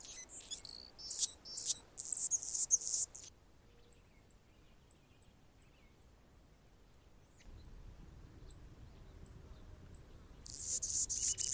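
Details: Anna's hummingbird on a branch in Golden Gate Park, San Francisco, California: three seconds of squeaky, scratchy, very high song bursts, a long near-silent stretch with faint ticks, then the buzzy song returns at the end.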